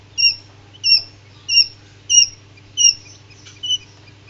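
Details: Common Quail chicks hatching inside an incubator give thin, high, slightly falling peeps, six in a row about every 0.6 seconds, with a faint machine hum underneath.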